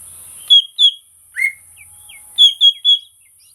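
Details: Greater green leafbird whistling a short phrase: two bright high notes, a lower rising slur, then three quick clear whistles in a row, against a thin steady hiss.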